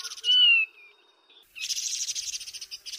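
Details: Taiwan barwing: a clear, descending whistled note about half a second long, followed after a short gap by a long run of rough, rapidly repeated chattering notes.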